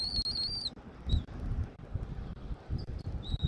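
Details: Bald eagle at a Southwest Florida nest, 13 January 2024 at 14:17. One sustained, wavering high whistle that falls at its end opens the recording, followed by a few brief, faint peeps over low rumbling noise.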